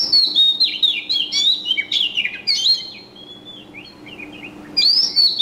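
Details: Wild bird chirping: rapid high whistled and twittering notes with quick slurred phrases, a quieter stretch midway, then a loud bright burst returning at the end; faint steady low hum beneath.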